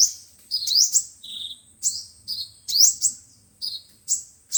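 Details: Five-colour and seven-colour sunbirds in a lure recording for speaker trapping: sharp high tweets and rising squeaky notes in small clusters separated by brief pauses, with faint low rumble.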